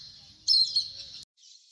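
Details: Indian grey hornbill giving a high, thin squeal that swells for about a second, breaks off sharply, then returns faintly; the call resembles a black kite's.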